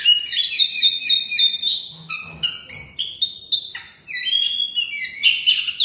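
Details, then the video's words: Oriental magpie-robin, a first-placed contest bird, singing rapid high whistles and short sharp notes with mimic-like variety, briefly pausing midway before resuming with sweeping slurs. "suara burung Kacer juara 1"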